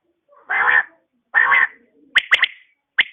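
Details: Two rough, buzzy bursts from a female quail in the morning, then a rapid triplet of sharp clipped notes and a closing pair, all against a quiet background.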